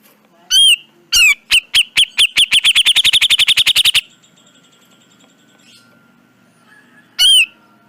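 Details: Grey-cheeked bulbul in a training recording for cagebirds: two loud upslurred whistles, then a fast burst of about twenty sharp repeated chips that speed up, then silence and another single whistle.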